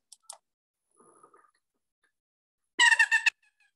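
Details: Common gallinule, a very noisy rail, giving one of its most common calls: a loud, harsh, nasal burst of about half a second, after a few faint clicks and soft chattering notes.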